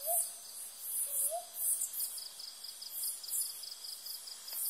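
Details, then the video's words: A brown boobook gives two soft, mellow upslurred hoots about a second apart, over steady pulsing insect chirps and a high insect hiss. "Brown Boobook นกเค้าเหยี่ยว"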